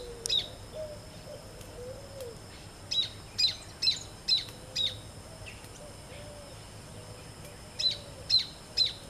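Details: Great Kiskadee giving sharp, harsh call notes in quick bursts of three or four over a steady, high, droning cicada whine, the two sounding against each other.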